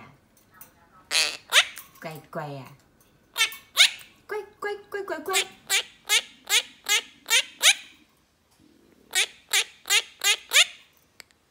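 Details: Pet female monk parakeet, three years old, talking and singing with her owner: a human voice at first, then a run of sharp, clicking chirps about every half second, a brief pause, then more of the same.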